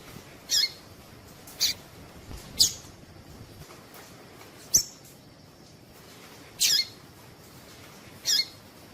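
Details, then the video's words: A female Double-collared seedeater's call to stimulate male song: six thin, high-pitched chips at uneven intervals, each short and sharp, against a soft steady hiss. "Piado de fêmea coleiro tui tui"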